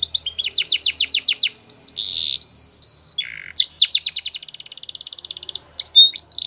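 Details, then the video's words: Belgian canary in full song: runs of quick falling whistles, a clear held tone, a lower buzzy note, then renewed swooping notes and a fine rapid trill. "Belgian Canary Song"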